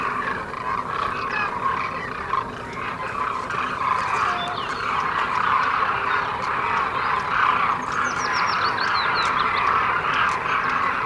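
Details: Demoiselle cranes calling together in a dense, continuous chorus of rolling, croaking trumpets, with a short series of high chirps from another bird near the end.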